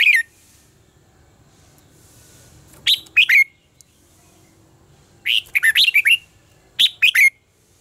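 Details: Contest-style song of a red-whiskered bulbul for training birds to sing: several lively phrases of three to six chirpy, whistled notes in close succession, each phrase ending on a ringing downward tone, separated by short silences.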